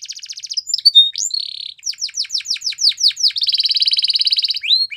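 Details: Canary in full training song: high trill, short buzzy roll, a run of downward-sweeping whistles and a long even trill at the end.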